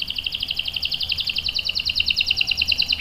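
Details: Canary delivering a continuous rapid rolling trill, about eight notes per second with a doubled tone, sung as a lure and tutor for young canaries.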